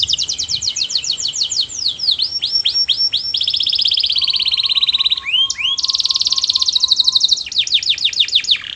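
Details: Canary in full melodious song, the kind said to set others singing: fast trills giving way to repeated downward-curving slurs, a long rolling tour, and a faint lower pulsed note series underneath.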